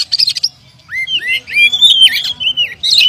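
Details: Oriental magpie-robin, a champion contest bird with past wins, singing loud clear whistled phrases, rising slurs and sweeping notes around the upper middle range, interspersed with sharp buzzy bursts, with a faint low rumble beneath.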